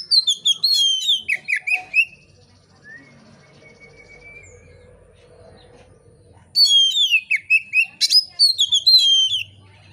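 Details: Oriental magpie-robin song delivered loudly and calmly to stir other magpie-robins to sing: a two-second burst of varied whistles and falling slurs, a long quiet stretch, then another bright whistled phrase.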